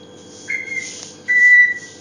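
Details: Pet African grey parrot whistling indoors: two clear, steady whistled notes, the second longer and louder, over a faint room hum.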